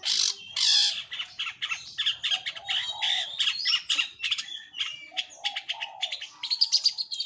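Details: Continuous, busy long-tailed shrike song: loud harsh squawks, high chips and lower warbled notes tumbling together without a break, dense and scratchy throughout.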